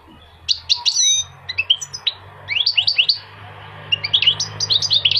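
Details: Goldfinch song full of high, tinkling twitters: quick chirps, ringing notes and bouncing rising phrases follow one another almost without pause over a low steady hum.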